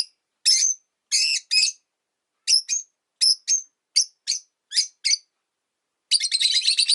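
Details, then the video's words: Rosy-faced lovebirds, one of five kept in a cage by a window in winter, give sharp, high, shrill chirps in short bursts about every half second, ending in a rapid rasping chatter. Car, bicycle and town noise sits in the background. "冬とか関係なく良く鳴く子【Lovebird Chirping Sounds"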